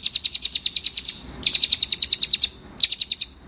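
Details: Cililin song used as a tutor recording for cage birds: three bursts of fast, very high chirping trills, each repeating sharp notes about ten times a second, separated by short pauses.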